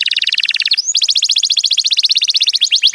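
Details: Mating song of a stimulated male canary: a fast pulsed trill of bright chirps, a quick upward slur, then another rapid even series of high repeated notes ending in swooping whistles.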